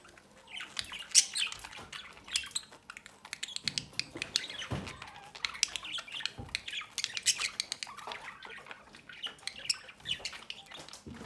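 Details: A kept budgerigar pair feeds a chick at the nest door; soft but continuous, scratchy, twittering squawks overlap throughout, with a few sharper peaks, in a quiet indoor setting.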